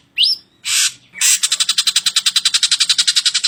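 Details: Drongo masteran song meant for tutoring cage birds: a single sharp rising whistle and two harsh hissing bursts, then a steady rapid buzzy rattle of evenly spaced pulses.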